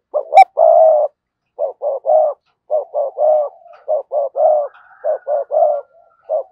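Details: Spotted dove decoy bird performing sa gù and thúc bổi coos: repeated groups of two or three hoarse, mid-low coo notes with a brief sharp click at the start.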